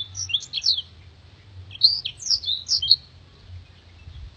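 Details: Blackthroat master song for contest birds: two short bursts of bright, high chirps and slurred whistles separated by a pause, over a soft low hum.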